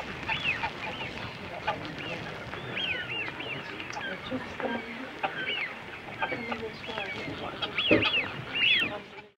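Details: European white-fronted geese at the Holden Tower in the afternoon, filmed on a Panasonic SDR-S26: a busy chorus of squeaky, bouncing yelps from many geese, with low murmurs and some lower clucking notes in the mix.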